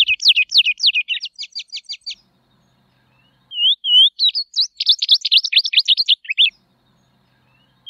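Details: Tropeiro seedeater (Sporophila beltoni) singing: a rapid burst of high, sharp, sweeping notes, a short pause with a few soft whistled slurs, then another fast chattering phrase of high notes; quiet background.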